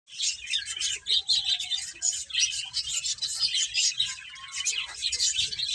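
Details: Finches chirping while eating; a dense flock chorus of high, rapid twittering chirps overlapping continuously, with brief pulses of louder calls and faint low bumps underneath.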